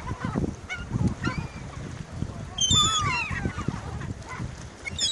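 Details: Seagulls competing for food: a burst of shrill, rising and wavering harmonic cries in the middle, with fainter calls before and after, over low rumbling noise.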